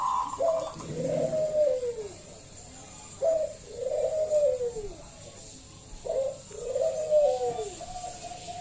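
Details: Zebra dove of a local strain, loud-voiced, singing to lure other doves to sing; three phrases about three seconds apart, each a short higher note sliding into a long falling, slurred coo.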